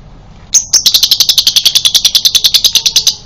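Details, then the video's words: Male lovebird in breeding condition, used as prompting audio to coax lovebirds back into song: a brief high opening note, then a fast, shrill, rattling chatter of about twenty piercing notes running steadily for over two seconds. "pancingan lovebird jantan birahi menuju konslet"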